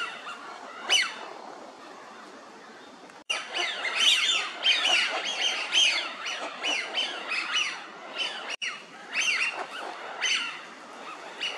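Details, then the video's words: A flock of Eurasian wigeon at Mizumoto Park, Tokyo, in March 2023 gives a steady chorus of high, whistled calls that rise and fall, overlapping about once a second, with a few rougher squawks mixed in. "ヒドリガモ (Mareca penelope) カモの鳴き声"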